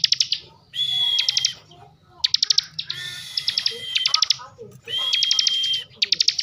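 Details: Ciblek (bar-winged prinia) from Slawi, Central Java, singing ngebren: bursts of quick staccato ticks alternate with long level whistles laid over buzzing, roughly every one and a half seconds.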